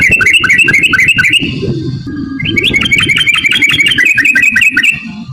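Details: Yellow-vented bulbul lure song meant to provoke other bulbuls into singing: a rapid, continuous run of sharp chattering notes, about four per second, with a brief break midway over a low rumbling background.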